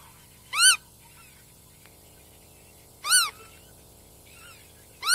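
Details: Black-tailed godwit uttering loud, short, arched nasal calls roughly every two and a half seconds, three calls in total, with faint softer notes between them.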